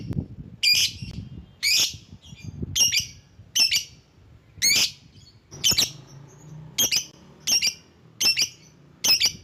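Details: Lovebird calling to lure other lovebirds: shrill, harsh screeching notes given about once a second, each a short burst of high, grating chirps, ten calls over the span with low background rumble.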